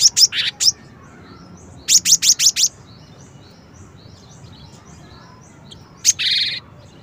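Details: Song variation of a cinereous tit: a quick run of high, piercing notes, then a tight series of five evenly spaced sharp chirps, and finally one chirp joined to a short buzzy rasp. Faint hiss behind.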